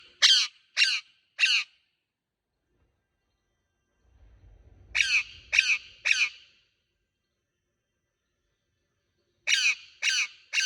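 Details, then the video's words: A green parrot gives harsh, raspy screeches in quick bursts of three, the bursts spaced a few seconds apart, with a brief low rumble between them. "Green Parrot Talking Natural Sounds | Tote Ki aawaaz"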